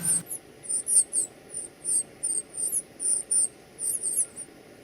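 Northern Cardinal giving a run of sharp, very high chips, about two or three each second, over a soft background hiss.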